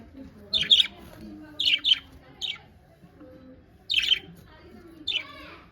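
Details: Happy pet budgies calling with clipped, bright double chirps in spaced bursts, then a pause before a last pair of notes, the last one slightly trilled.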